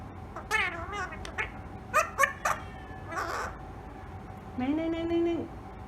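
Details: Talking pet ringneck parakeet producing varied speech-like syllables: swooping harmonic notes, a cluster of sharp clipped sounds near the middle, then a long, level, nasal drawn-out note at the end, over a low room hum.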